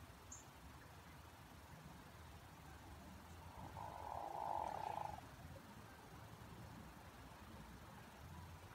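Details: Courting hooded merganser, its call likened to a pickerel frog: a single low, purring, rolling croak of about a second, set against a constant low background rumble.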